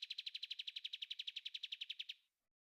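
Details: Clear song of a bulbul known as kapas tembak, meant for caged birds to imitate; a quick train of identical high ticking notes lasting two seconds, then stopping abruptly into silence.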